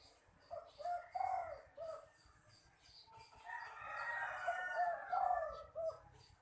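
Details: A young caged spotted dove with an unusual voice gives two short phrases of soft, low, hollow coos, several notes each, with faint background hiss and rustling.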